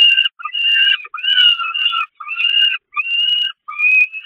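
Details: Peregrine falcons at the Catharinakerk nest grating during feeding on 11 May 2021; young give shrill, wavering, whistled begging screams, each about half a second long, repeated in a steady series with short pauses.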